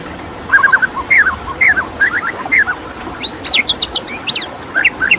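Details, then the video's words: Water rushes in the background while a white-rumped shama sings downslurred whistled phrases, then a burst of very high rapid notes, followed by a few rising whistles. "Suara KICAU MURAI BATU dengan Suara Air"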